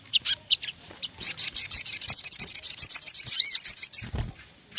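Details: Ruby-throated bulbul lure song meant to make birds sing: a dense, rapid high chatter of twittering notes after a few scattered chips, with a low thump near the end.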